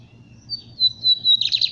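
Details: Brief fragment of lined seedeater song in the capiroto style: a thin, high, slightly falling whistle, then the first notes of a rapid buzzy trill. Faint hum beneath.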